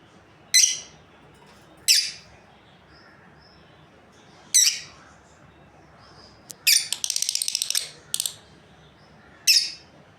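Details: Shrill single chirps from a breeding pair of lovebirds, spaced a second or more apart, plus a brief rapid chattering trill midway.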